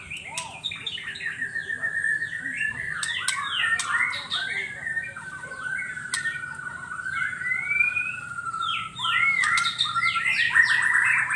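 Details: Murai batu, the white-rumped shama, singing gacor-style in 2021: a long, busy stream of varied whistled phrases, rising and falling notes and rapid chips, with a low background hum and faint clicks throughout.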